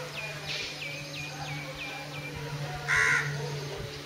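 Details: Loten's sunbird, seen hovering in one spot: a quick run of about six thin, high, down-slurred notes, roughly three per second, followed by one harsh crow-like caw and a steady low hum.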